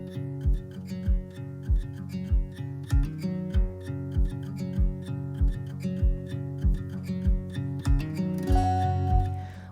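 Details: Strummed acoustic guitar music with a steady beat, with no animal sounds.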